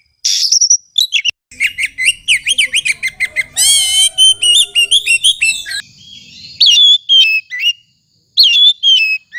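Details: Oriental magpie-robin delivering a dense, energetic song: fast repeated chirps, a buzzy rippling burst, then loud clear whistles and upslurred notes, with brief pauses near the end.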